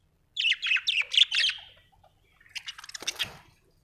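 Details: Budgerigar chirping: a quick run of bright, buzzy chirps for over a second, a short pause, then a second scratchier burst of warbling notes.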